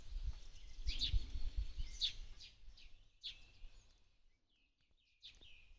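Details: A sparrow in a Ukrainian forest in April 2023 gives short, bright chirps about once a second, then a few softer scattered chips, over steady low rumbling background noise.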